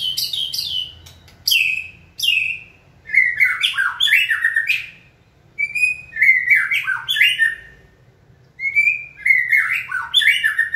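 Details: Training White-rumped shama, stirred up by its keeper to sing, delivers repeated bursts of loud, varied song: sharp high squeaks, warbling slides and whistled notes, in phrases separated by short pauses.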